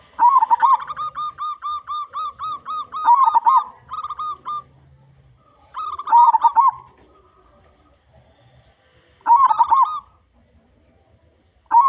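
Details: Local zebra dove singing loudly as a lure for wild zebra doves. A long run of rapid repeated coo notes is followed by shorter rolling, warbled phrases, roughly every three seconds.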